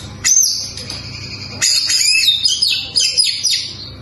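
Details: Kacer, the white-rumped shama, singing clear high whistled phrases with quick upward and downward sweeps, loud bursts at the start and midway.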